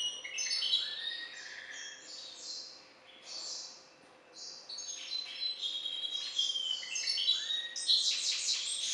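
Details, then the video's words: Bred hybrid finch from a C.c. balcanica line, kept by an ornamental and songbird breeder, singing a lively high twittering song of chirps, buzzy trills and short rising whistles, pausing briefly midway, over a faint steady hum. "Śpiew bastarda po C.c. Balcanika III"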